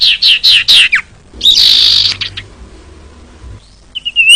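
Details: Female common iora call used to attract males: a few quick descending chirps, a harsh buzzy high burst, a quiet stretch, then a short upward whistle.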